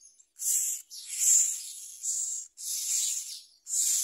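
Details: A young myna takes a large blue caterpillar from a parent bird, giving drawn-out breathy, rasping hisses that run for up to a second and a half, separated by brief silences.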